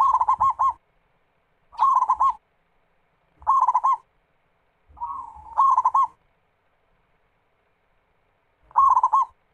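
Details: Zebra dove (perkutut, local Indonesian type) song used as a lure to get other doves singing: five bursts of rapid, rolling coos near one pitch, each under a second, spaced about two seconds apart, with a faint low thump beneath.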